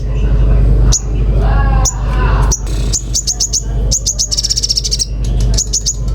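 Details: Common iora in lively song: crisp high chirps, first spaced, then in quick bursts, with a short fast trill in the middle, above constant low-pitched humming.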